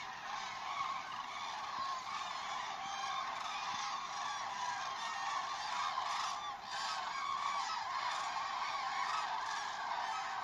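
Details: Grus grus, the common crane, recorded at Vanamõisa, Haljala parish, Estonia: a constant wash of many honking, goose-like calls layered together, with a short dip in the noise around the middle of the recording.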